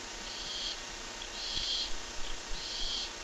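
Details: Barn owl voice on a live camera: three drawn-out, noisy hisses, the middle one loudest, over constant low background hum.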